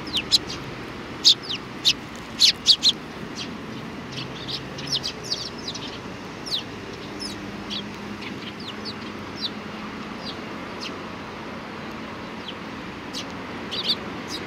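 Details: Several sparrows at a Tenmangu shrine in July 2019: a short run of bright chirps near the start, followed by fainter, sparse tweets against a steady low background murmur.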